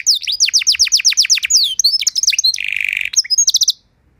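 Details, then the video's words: Canary singing a master song meant to train other canaries: a run of quick descending whistled sweeps, then chattering notes, a buzzy rattle and short high trilled phrases before falling silent. "Masteran dan Pancingan Burung Kenari Biar Punya Lagu Mewah"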